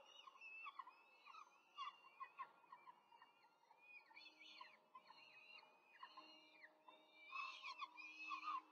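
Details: Peregrine falcon nest in Rome, 5 May 2023, four chicks during a quick feeding by the adult female: repeated arched, squealing chirps overlapping in busy bursts, with a steady faint hum underneath.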